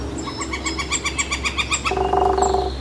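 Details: Woodpecker by San Francisco Bay, 18 July 2023, gives a quick run of even, nasal notes for about two seconds. A lower, buzzy, drawn-out sound follows.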